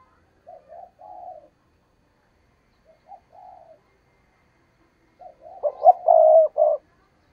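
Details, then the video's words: Trapping decoy spotted dove calling insistently: quiet coo phrases repeated twice, then a louder phrase of quick notes and a long, strong coo at the end. "Tiếng Chim Cu Mồi Thúc Gù Bài Bản Dùng Kích Bổi Hiểu Quả"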